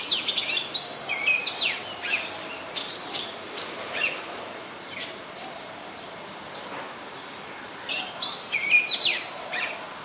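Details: Oriental magpie-robin, very common resident, Ubon Ratchathani, Thailand, on 24 December 2020; whistled and chattering phrases early, a long quieter stretch, then a renewed burst of varied notes near the end.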